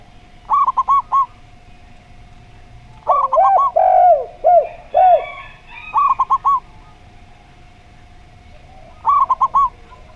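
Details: Zebra dove in slow-voice song style with a spotted dove: rapid four-note stuttering coo bursts returning every few seconds, broken by a run of lower, drawn-out arching coos, and a constant humming tone.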